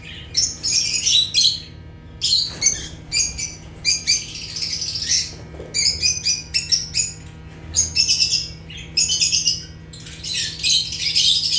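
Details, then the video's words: African lovebirds (Agapornis) giving natural chirping sounds: bursts of shrill, high, harsh squawking chirps in rapid clusters, separated by short pauses, with a faint steady low hum beneath. "Rare African Lovebirds (Agapornis) | Natural Chirping Sounds"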